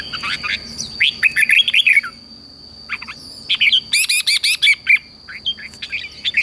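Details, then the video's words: Energetic red-whiskered bulbul song played to train newly caught birds: repeated bursts of loud, rapid, slurred whistles and chirps, several quick phrases over six seconds, with a persistent high-pitched electronic-like whine throughout. "luyện cho chào mào bổi hót"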